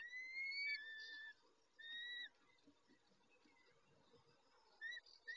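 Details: Peregrine falcon male tending the females at the nest, 19:40, 23-05-21: two or three long whistled notes at the start, a quiet stretch of faint hiss, then short whistles returning.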